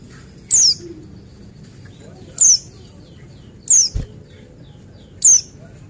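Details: Lure recording of a male Buxtoni white-eye in wild-style song: sharp, piercing high chirps that drop steeply in pitch, four of them at uneven gaps of one to two seconds, with a soft tap midway.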